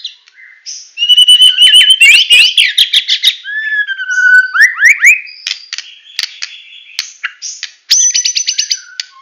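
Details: White-rumped shama from Medan delivering a full 'tembakan' song: varied rich whistles, fast rattling trills, rising slurs and a closing run of rapid repeated high notes, loud and continuous.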